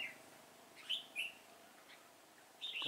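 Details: Red-whiskered bulbul during trap-fighting, 26 September 2017: a few brief clear whistled notes and a short warbled burst at the end over quiet background hiss.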